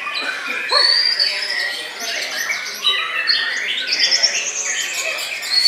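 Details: White-rumped shama, described as bowing low for a long time, delivering a dense, varied song of bright whistled notes, sliding phrases and chattering bursts, layered over a busy background of other high chirps.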